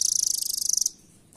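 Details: Velvet-fronted nuthatch, called rambatan doraemon, recorded as a master song for training birds at home and praised for its speed: one very fast, high, even trill of about thirty sharp notes lasting under a second, then quiet.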